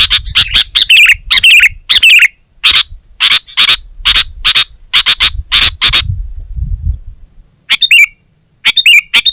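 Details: Sooty-headed bulbul giving gacor song, with bubbling whistled phrases and rapid chips for about six seconds, a pause, then two more short warbled phrases.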